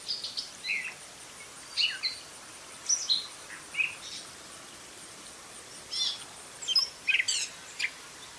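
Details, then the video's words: Gray catbird singing a jumbled, varied run of brief squeaky and chirpy phrases, high and low notes mixed, delivered in irregular bursts with short pauses, against faint outdoor hiss. "Catbird Meowing and Singing"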